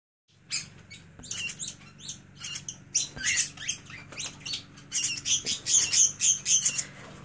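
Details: An adult male Scarlet-chested Parrot, strutting, gives rapid, high, thin chirps about four a second that grow louder, at the loudest this species gets. The owner suspects an alarm because his hand-fed chicks are being carried. A faint hum underlies the chirps.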